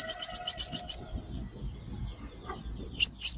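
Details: Sunbird, known locally as five-coloured sunbird, used as a lure for trapping: a quick run of seven bright, high ticking chips, a pause with soft background rustle, then a short second burst.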